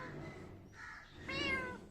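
A parrot copies a cat's meow: three drawn-out, nasal, harmonic mews in under two seconds, the last loudest and wavering. A faint hum sits underneath.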